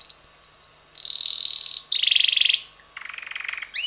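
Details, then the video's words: Young red male canary, roughly six months old, in varied song: pulsed high trill, a sustained buzzy rolling tour, a lower rattling trill, then a softer low-pitched rapid tour ending in a sharp upsweep. "red canary bird singing - roter singender Kanarienvogel"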